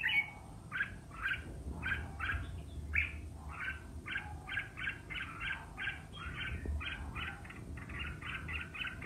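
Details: Red-whiskered bulbul in competitive singing: a steady run of short, bright, chattering notes between low and mid pitch, about two or three per second for nine seconds, over a low rumbling background hum.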